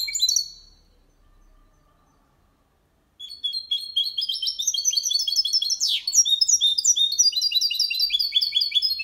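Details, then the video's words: Goldfinch and canary hybrid singing a clean Malaga copy for training birds: a few opening notes, near-silence for two seconds, then a long bright cascade of rapid chirping trills with one steep descending slur. "Mixto jilguero cantando copia malaga _ Hybrid of goldfinch singing for training songs"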